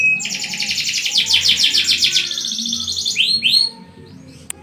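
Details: Canary in full song, a fast buzzy trill of rapidly repeated notes held for about three seconds, then two quick rising sweeps before stopping; faint low background hum.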